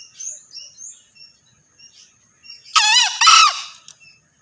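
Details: After a few soft, high chirping notes from small birds, a male green junglefowl bursts into a loud, raspy crow of two quick, harsh syllables with quavering pitch.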